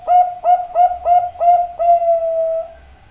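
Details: Zebra dove gives five quick, rounded coos, each with a short rising onset. They lead into a sustained, slightly falling note that fades out.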